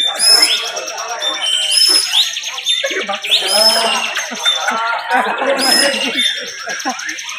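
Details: Bar-winged prinia singing contest, 'bren' song style: rapid buzzy high trills punctuated by sharp upswept whistles every one to two seconds, voices overlapping densely.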